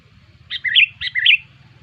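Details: Sooty-headed bulbul lure call used to attract bulbuls: two short bubbly phrases, each a sharp note followed by a rolling warble, given about half a second apart, with a faint low hum beneath.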